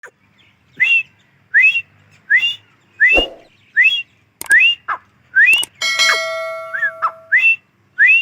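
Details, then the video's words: Female grey francolin calling: loud rising whistled notes near two to three kilohertz, repeated a little under once a second, with a few sharp clicks and a brief steady electronic-like tone late on. "Teetar awaz | Teetar voice | gray francolin teetar sound | Teetar ki Awaz bohra Teetar awaz"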